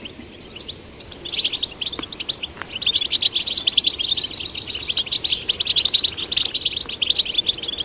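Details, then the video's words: Young goldfinches of both sexes encouraged into song, a busy high-pitched stream of clipped chirps and jangling trills that grows louder and denser after the first few seconds. "Stimulating male and female goldfinch chicks to sing birds chirping"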